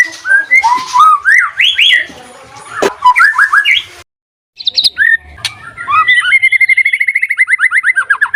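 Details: White-rumped shama singing, a varied run of loud whistled and chattering phrases sweeping between low and high notes, a brief pause, then a fast even series of repeated rising notes about five per second.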